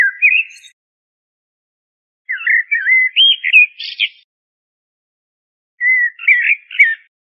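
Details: Common blackbird (Turdus merula) singing: short fluted, warbling phrases low in pitch, each ending in a thin higher twitter, with long silent pauses between three phrases.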